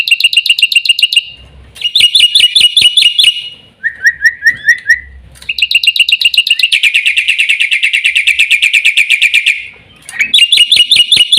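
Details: Black-winged myna song with bursts of rapid chirping, a short series of lower whistled notes, then a long, dense buzzy trill and more quick chirps.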